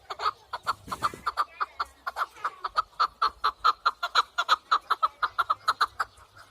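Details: Partridge calling: a steady series of short, clipped chucking notes, about four per second, running evenly for the whole stretch, with a brief rustle near the start.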